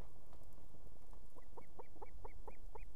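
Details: Osprey female on a nest with two chicks in Estonia, evening, summoning the male to deliver fish; a rapid series of about seven clear, upslurred whistled notes, one every quarter second, building in strength against low background rumble.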